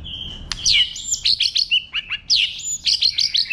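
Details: White-rumped shama singing a wild-type song used to stimulate other birds: loud clear whistles and rapid falling slurred notes in quick varied phrases, with sharp chips between, over a quiet background.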